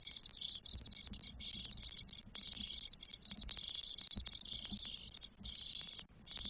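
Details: Four 12-day-old spotless starling nestlings in their nest in Spain, 1 June 2022, give loud, harsh, hissing rasps in long continuous bursts with brief gaps, with faint low thumps beneath.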